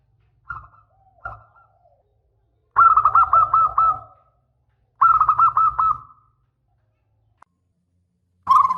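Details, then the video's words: Lively local zebra dove with a long-phrase song used as a lure and tutor: two brief coos, then two loud runs of rapid rolling pulses separated by silence, and a final short burst at the end, over a low rumble. "Perkutut Lokal GACOR !! Suara ANGKATAN PANJANG"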